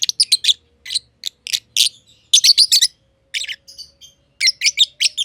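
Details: Pair of aviary lovebirds, green personata and green pied personata, chattering in fast scratchy high chirps, some grouped in rapid runs, with faint thin whistled tones between bursts and a low hum underneath.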